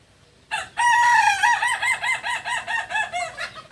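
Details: Native kukuak balenggek cock from Solok in West Sumatra gives a loud crow. It opens on a steady sustained note, then breaks into rapid undulating syllables, about eight bouncing steps over three seconds.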